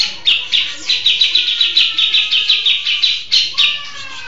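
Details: Grey-cheeked bulbul, a caged singer in sustained song: rapid bright chattering notes repeated about five per second in a steady run, then a short trailing phrase, with a faint low hum behind.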